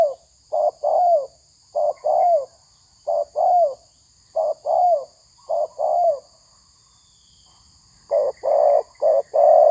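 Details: Spotted dove (tekukur) cooing during a trapping session with a decoy bird fighting rival doves; low hollow coos in paired phrases, a short note then a longer falling one, repeated in groups with pauses, ending in a denser burst.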